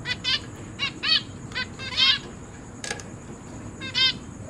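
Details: Zebra finch family with recently hatched babies that have left the nest, kept indoors in a cage. Softer, nasal calls repeat about twice a second in an uneven rhythm.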